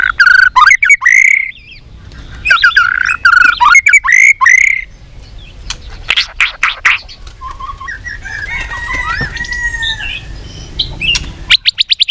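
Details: White-rumped shama singing many voices for contests: rapid warbled whistled phrases in two bursts, then sparse clicks, soft whistles and a short fast rattle at the end.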